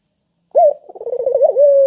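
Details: Spotted dove calling, kept as a lure to get lazy doves singing. After a short silence comes a clear opening coo, then a burst of rapid wavering pulses ending in a steady, held cooing note.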